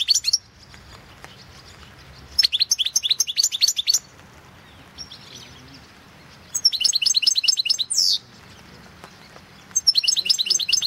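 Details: Competition recording of a European goldfinch from the 2016 World Championship in Goldfinch Song; four bursts of rapid, liquid twittering phrases, each about one to two seconds long, with high tinkling notes and a brief buzzy slur, quiet pauses between.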